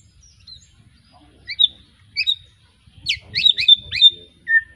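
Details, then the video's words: White-rumped shama, young and just past moulting, Arko Tangerang line, Petarukan, Pemalang: scattered sharp high chips, then a fast cluster of ringing, clipped notes and a closing whistle. "Kicau Murai batu lepas trotol,suaranya heboh"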